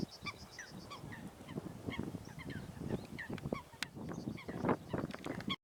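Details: Fighting Eurasian coots, a mid-sized water bird, give quick clipped nasal notes repeated in uneven bursts over constant splashing and wing-beating, with one sharp loud outburst toward the close.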